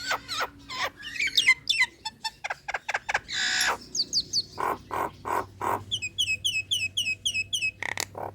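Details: Caged female Nias hill myna in breeding condition calling males: mixed harsh squawks and whistled slurs, a rough buzzy burst, then repeated high whistled upslurred notes alternating with loud mid-pitched calls.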